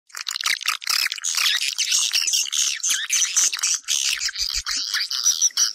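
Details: Swiftlet calls played to lure swiftlets into a house: a dense, continuous chorus of high, rapid twittering chirps and buzzy trills, overlapping without pause, with a few faint low thumps near the end.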